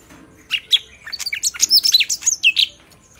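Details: Sooty-headed bulbul singing with a clear, powerful voice: a quick run of about twenty high, sharp chirps and bright twittering notes packed into under three seconds, rising in intensity, over a quiet background.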